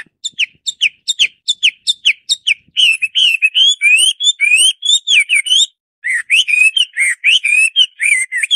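A Hwamei sings loud, varied phrases: quick repeated notes at first, then rich slurred whistles rising and falling in pitch, with a short pause partway through.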